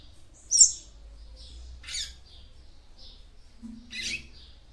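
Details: Female double-collared seedeater giving her song to excite a male: sparse high chirps and buzzy, scratchy bursts about a second apart. A faint low hum lies underneath.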